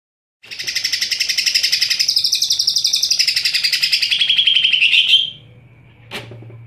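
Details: Cucak ijo singing very actively, loud and shrill: a fast, dense stream of high chirps repeated about four times a second for nearly five seconds, ending in a falling trill, then a single sharp click.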